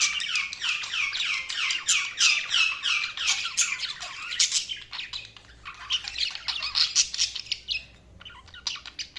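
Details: Budgies chirping in fast runs of short descending chirps, about three per second, forming a rapid chattering warble that thins toward the end.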